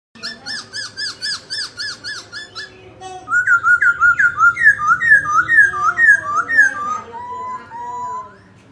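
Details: Dancing laughingthrush singing: a run of about ten evenly spaced, bright two-part whistled notes, then a fast series of rising and falling slurred whistles that slow into longer descending notes near the end, with a faint low hum beneath.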